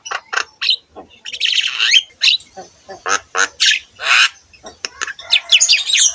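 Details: A Javan myna pours out a scratchy, varied song for training other mynas: squawking bursts, rising and falling whistles and noisy chatter in irregular rhythm.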